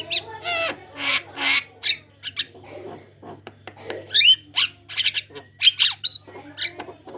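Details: Javan myna in full chattering song, recorded as a lure to set off other mynas: rough squawks opening, followed by a jumble of whistles, clicks and scratchy notes, with a low hum throughout.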